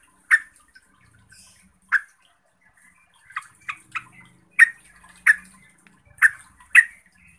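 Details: Yellow-vented bulbul (Pycnonotus goiavier) calling to agitate other bulbuls: loud single chirps at first, then a quick cluster of softer notes, followed by several strong bubbly chirps, with faint low background noise.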